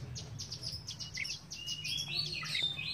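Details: Bar-winged prinia sings fast, high, sharp notes about five a second, running into a buzzy, rattling trill over a low hum. It is used as a lure to prompt reluctant prinias to sing.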